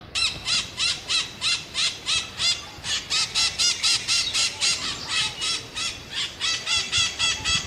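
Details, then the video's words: Scaly-headed parrot, known locally as maitaca-verde, calling in a rapid series of harsh, squealing screeches, about three or four per second, loud and steady throughout, with only faint background noise. "Maitaca verde Scaly-headed Parrot"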